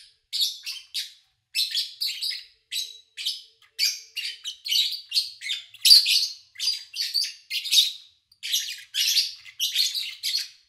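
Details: Pet lovebirds recorded in August 2019 during a quiet period at the owner's home: a steady series of sharp, raspy high chirps, roughly two per second, continuing without break and with no other sounds.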